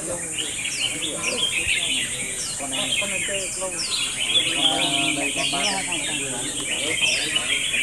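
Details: Red-whiskered bulbuls at a singing contest: dense, overlapping bright chirps and warbled phrases with quick upswept notes, several birds going at once, over a low murmur of people talking.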